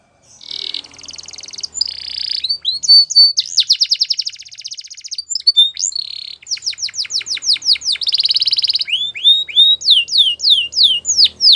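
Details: Belgian canary in full training song for young canaries: buzzy rolls, a long rapid trill, slurred whistles and repeated downward-swept chips at a lively tempo, with faint low background murmur.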